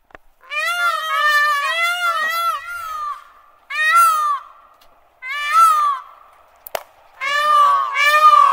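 Peafowl giving loud, nasal, wailing cries, first a quick run of wavering notes, then three longer drawn-out calls with short pauses between.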